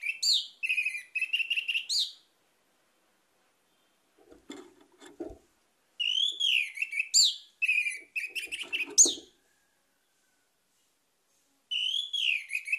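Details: Lure song of an orange-headed thrush meant to get other birds singing: clusters of sharp, rich whistled phrases with bouncing, wavering notes, separated by quiet gaps, with soft clattering knocks in the background between and under phrases.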